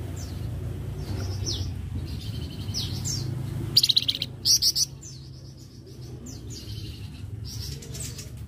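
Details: Flamboyan singing as a master recording for teaching other cage birds: repeated short sweeping whistles and two brief loud trilled bursts midway, with steady low rumbling background noise throughout.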